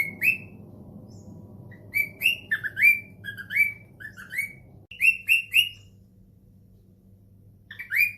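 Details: Pet cockatiel answering a phone call with clusters of rising, harsh chirped calls, some falling then rising, in bouts separated by quieter pauses, with faint indoor background noise.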